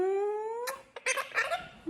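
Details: A pet monk parakeet (Quaker parrot), cuddling at night, gives a drawn-out, slowly rising nasal note followed by quick smacking, kiss-like clicks, as if giving kisses.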